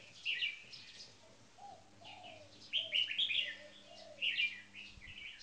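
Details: Two caged red-whiskered bulbuls, one a marathon frequency singer, one newly caged. Short loud chirping phrases come in three bursts, with quieter low swooping notes and faint hum between them.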